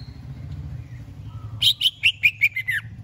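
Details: Greater green leafbird readied for singing competition: after a quiet pause, a burst of about seven loud, bright chirps stepping downward in pitch, with low rumbling noise behind.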